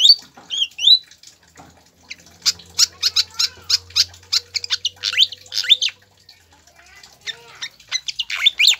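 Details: High chattering notes from a pied fantail, used to get captive birds singing: quick upward-sweeping squeaks open the clip, followed by a long run of sharp, closely packed chirps, a brief pause, then more bright twittering.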